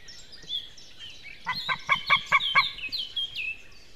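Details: Wild white-tailed eagle pair in Estonia, one bird having just left while the other stayed nearby, singing together: a quick run of about six loud, harsh, evenly spaced yelping notes, with thin songbird whistles above.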